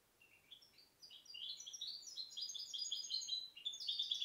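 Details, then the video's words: After a quiet start, a 2010 goldfinch hybrid builds into a bright twitter, notes climbing higher and growing louder, closing on ringing, metallic high chirps. "Mixto jilguero pio 2010"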